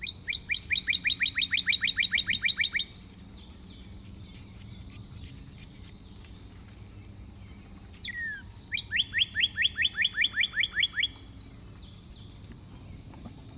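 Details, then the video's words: Red cardinal song in two bursts of quick, clear downslurred whistles, each burst lasting a few seconds with a pause between, accompanied by high, thin buzzy trills from another caller. "Cantoria do Cardeal Vermelho"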